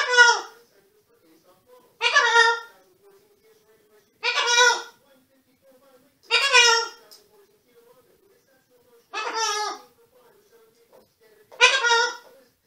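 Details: Pet green-winged macaw in Canada gives six loud, harsh, raspy squawks, each about half a second long, roughly every two seconds in a quiet room.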